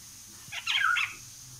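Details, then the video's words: Indian golden oriole, locally called Haladi Basant, singing: a brief loud fluty phrase of a few slurred, warbling notes, the middle note strongest, over a faint low hum. "Magnificent Indian Golden Oriole Bird (Haladi Basant) is Singing"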